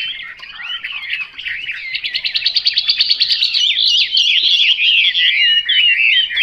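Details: Chinese hwamei delivering a fast, rhythmic trill of repeated notes that flows into bright, looping whistled phrases, steadily rising in loudness.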